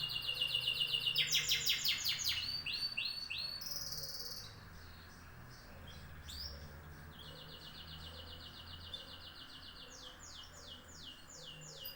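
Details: Canary song in quick trilled phrases, sharp repeated chips merging into buzzy rolls and bright whistled runs, fading briefly before a long even trill and more rattling notes, over a soft steady background hum.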